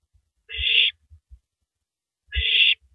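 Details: Owl, female, at 3:33 AM on April 9, 2012, working through a large rabbit; two rough, airy screeches almost two seconds apart, with soft thuds and knocks between them.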